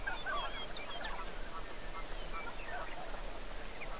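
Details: A wintering flock of canvasbacks, winter 2017, gives short, overlapping nasal and squeaky calls without a break, over a steady low rumble of wind or water.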